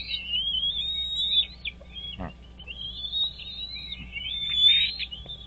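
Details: High, drawn-out whistled calls from a wild bald eagle at its nest beside Dale Hollow Lake, on the Kentucky-Tennessee state line, recorded early on 17 April 2023 by a nest camera. The calls come in long, wavering phrases, with one short thud in between.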